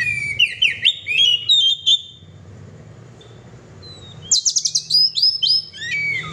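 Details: Oriental magpie-robin (kacer) in gacor song: a fast run of high, ringing whistled notes, a near-silent pause of about two seconds, then another rapid burst of sharp repeated whistles.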